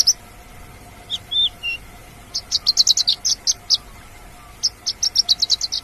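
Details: Australasian bush lark in the wild delivering a song of a few slurred whistles, then rapid bursts of short, high, clipped notes repeated in quick series, with a faint constant hum behind.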